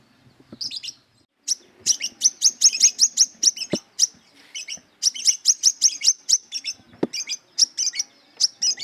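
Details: Brown-throated sunbird in fighting mood, seeking a rival, pours out long rapid bursts of sharp, high, ringing chips, roughly two or three per second, broken by brief pauses; a couple of faint low thumps.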